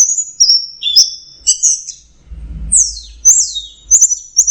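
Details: Anis merah, the orange-headed thrush, in teler song: clear high whistled notes and slurs, a steep descending sweep in the middle, then sharp clipped notes, with a soft low rumble behind.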